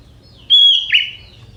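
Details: Sooty-headed bulbul, a young bird from the forest, whose song carries prinia-style phrases. It gives one loud sustained whistle, level then sliding sharply down into a brief burbling drop, over quiet low rumble.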